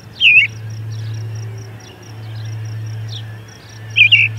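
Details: American robin singing near an osprey nest at Charlo as the nest's osprey returns, 10 June 2020, late morning; two short warbled phrases about four seconds apart over a steady low hum and a high thin whine.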